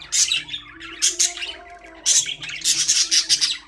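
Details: Budgies in a cage chirp in loud, sharp bursts of high squeaky notes, a pause of about a second between groups, then a final run of quick repeated chirps.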